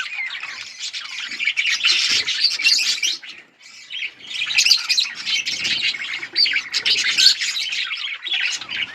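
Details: Budgerigars chirping together: a dense, continuous chatter of scratchy warbles and high twittering notes from several birds, barely pausing, with a short lull partway through.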